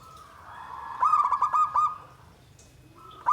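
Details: Zebra dove singing a single burst of quick, stuttering low coos lasting about a second, after a soft sustained coo and followed by quiet, with another coo starting at the end.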